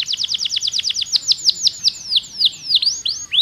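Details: Pocong canary song meant to coax quiet canaries into singing. A rapid, steady series of high, downward-sweeping whistled notes slows into louder, spaced, ringing notes, all bright and clean.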